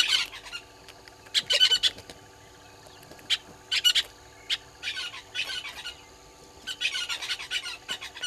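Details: Southern red-billed hornbills below a waterhole camera at Gowrie dam, Djuma Game Reserve, Sabi Sand, South Africa, at 06:08 on 20 March 2022, give bursts of harsh squawking notes with one-to-two-second pauses over a low electrical hum.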